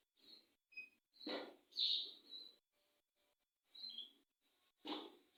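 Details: Quiet canary song fragments, from a bird said to sing a long roll: brief high chirps, a short whistled note and buzzy bursts come in separate pulses with gaps of near silence between.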